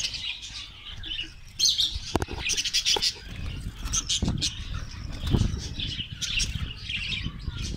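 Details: A Karachi colony of Australian parrots twitters and warbles steadily in high, rapid notes, mixed with clicks and a few low knocks in the middle.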